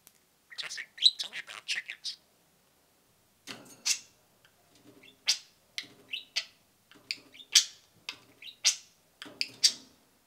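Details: Two pet budgerigars peeping and cheeping indoors: bursts of short, high chirps and sharp rising peeps, a busy cluster at the start, a pause, then scattered bright cheeps every half second or so.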